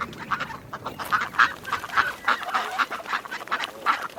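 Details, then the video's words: Loud, harsh quacks from ducks, repeated roughly every quarter to half second in uneven bursts, with fainter quacks from other birds behind. "Sounds of nature and animals: horse, cow, rabbit, rooster, chicken, wild boars, sheep, goats, ducks"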